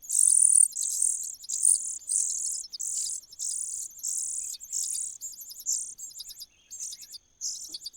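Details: Cuckoo in a nest, gaining food advantages: high, hissing bursts of calls, each about half a second long and roughly one and a half per second, later breaking into shorter, choppier rasps.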